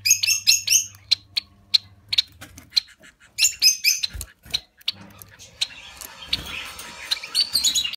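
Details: A small captive breeding colony of society finches gives rapid, high, buzzy chirps in short bursts, with scattered clicks and a busy chatter of several birds calling together.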